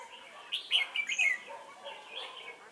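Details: Decoy red-whiskered bulbul at a trapping site at Chùa Hương, 28 November 2017; a loud burst of bright whistled, warbling notes around 0.5–1.3 s, followed by softer chattering phrases.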